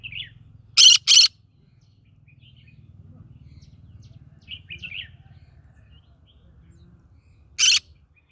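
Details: In the middle of a rice field, a green-cheeked conure screeches twice in quick harsh bursts, then once more several seconds later, with faint chirps between and a low hum underneath.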